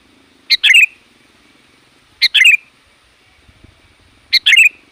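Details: Sooty-headed bulbul calling nonstop to summon wild bulbuls: three strong phrases roughly two seconds apart, each a crisp note and a bright falling warble, with a soft low hum underneath.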